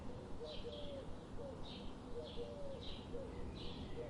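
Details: Birds outdoors giving short high chirps repeated roughly every half second, with soft low hooting notes underneath and a steady background hiss.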